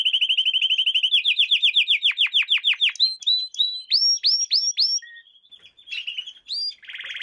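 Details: Canary lesson song for training young canaries, beginning with a fast chirping trill, then descending slurred whistles, rising upward-swept notes spaced apart, and a final short buzzy burst.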